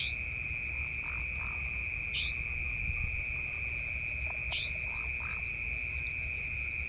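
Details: Savanna Nightjar in Malaysia on 7 November 2020 gives three sharp, buzzy, high-pitched calls about two seconds apart, over a steady ringing insect drone and a low background rumble.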